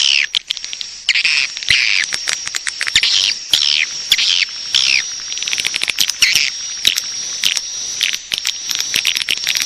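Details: Swiftlet calls of the calling and roosting type, used to lure swiftlets: a dense, continuous chatter of high buzzy twittering and sharp clicks, with a steady thin high whine throughout.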